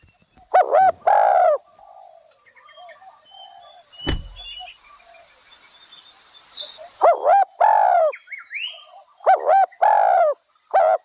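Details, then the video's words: Spotted dove coos at the start and end, each a brief note followed by a longer drawn coo, separated by a quieter stretch with a sharp knock and faint chirping. "Spotted dove sound original"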